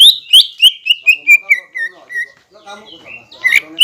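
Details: Persistent green leafbird singing, meant to excite rival birds into song. A quick run of about ten whistled notes stepping steadily downward, then soft chatter and two sharp upswept notes.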